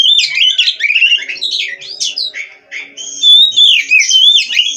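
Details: Oriental magpie-robin from a breeding aviary in Cirebon singing varied whistled and warbled phrases with some harsh notes, a faint low steady hum underneath.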